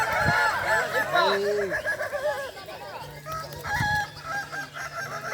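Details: Several Kukuak Balenggek roosters at a crowing contest final, class boko, at Sirukam Dairy Farm in Solok regency, trading long stepped crows that rise and fall, overlapping one another, with a steady low hum beneath.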